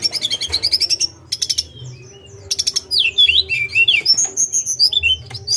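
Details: Sunda robin (tledekan gunung) singing a fast varied high sequence: trains of clipped chirps, buzzy repeated bursts and swooping slurred whistles that rise and fall, with a soft constant low hum underneath.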